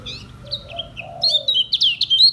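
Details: Caged Lombok lemon-bellied white-eye singing in the slow ngejos style: thin, high chirps and short twittering notes, busier toward the end, with a soft low dove-like coo in the background.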